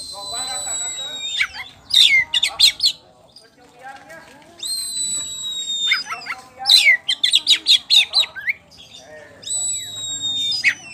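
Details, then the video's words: Champion Oriental magpie-robin of the poci type, with ngeplong singing. Long level whistles alternate with bursts of rapid, loud, clipped notes, repeated over several phrases, with short pauses and fainter twittering between. "KACER POCI JUARA NGEPLONG GACOR"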